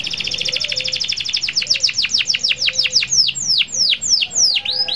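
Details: Canary in full song, played to set other canaries singing: a rapid high trill that gradually slows into separate steep descending notes, with faint low hum behind.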